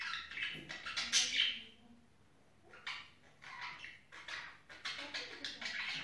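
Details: Budgerigars in the mating season chatter in scratchy, buzzy bursts of high warbling notes, broken by a short lull, then resume in quick runs.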